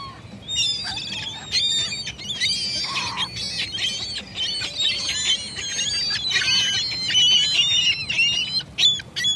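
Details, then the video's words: Many gulls calling at once, a dense chorus of harsh, nasal, overlapping cries and squeals, some rising and falling, with steady low rumble beneath. "Seagull noises"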